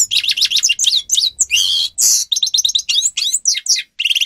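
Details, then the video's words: Captive-training song of a grey-crowned goldfinch: a busy stream of high twittering notes, harsh buzzy rasps and sweeping slurs, ending with a short rapid trill. "(Carduelis caniceps) Goldfinch song Best for training"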